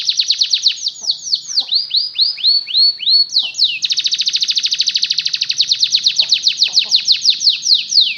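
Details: Canary song used to coax other canaries into learning to sing: rapid rolling trills of repeated downslurred notes, shifting to a slower series of swooping notes, then a long fast tour of uniform chirps.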